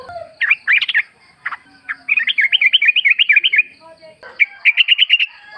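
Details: Wild Sooty-headed Bulbul in forest among nature sounds, used as a lure recording to make other bulbuls sing and answer: bursts of fast, bubbly chirped trills repeated in short phrases with brief pauses between.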